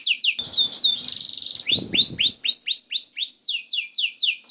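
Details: Canary song meant to stimulate other canaries: sharp chirps and a harsh buzzy burst over brief rustling, then evenly repeated up-and-over swooping notes, about four per second.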